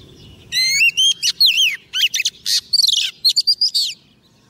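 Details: Calling a male, a caged-decoy female Oriental magpie-robin sings about a dozen loud notes over three and a half seconds. Rising whistles mix with rapid stutters and upslurred endings.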